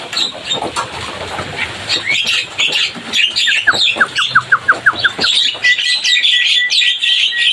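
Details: Javan myna: scratchy chatter, then a run of about nine short, clear downslurred notes at roughly five per second, followed by a thin, steady whistled tone repeated against high twittering.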